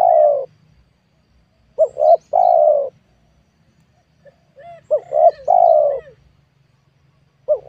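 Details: Spotted dove cooing at a newly cleared small oil palm plot while wild doves are being lured. Repeated three-part phrases, with soft distant coos and thin, higher, chirping notes from other birds in the pauses.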